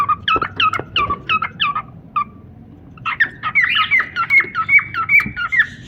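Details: Pet cockatiel pair: a row of evenly spaced chirps, a short silence, then a fast chain of warbling notes with upward slurs.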